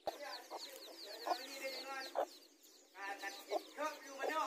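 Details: Hens with their newly hatched chicks in a garden, described as squaring off over territory: loud abrupt clucks spaced about every second, with continuous shrill downslurred chick peeping and a brief lull midway.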